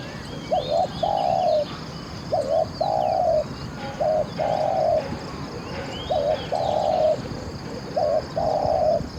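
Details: Spotted dove calling as a trapping decoy for wild doves, said to have an excellent voice: five even phrases of a quick double coo followed by a drawn-out mellow note, repeated about every two seconds over soft background chirps.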